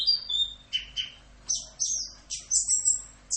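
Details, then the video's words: In this full 'Rock'n Roll' masteran song, an Orange-headed thrush delivers clear falling whistles, then sharp high chattering phrases in quick succession, over a soft low hum. "MASTERAN ANIS KEMBANG FULL Rock'n Roll"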